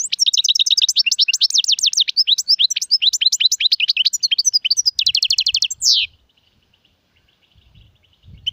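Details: Bright, fast-paced European goldfinch song in the Serfati, Gzirati and Tserseer styles, about six seconds of tumbling high chirps and tinkling trills ending in a descending buzzy slur, followed by near silence.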